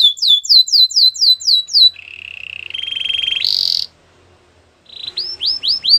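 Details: Canary singing to encourage a silent canary to resume song: a run of rapid downslurred whistles, a low steady rattle, a brief higher trill, a pause, then a series of rising chirps.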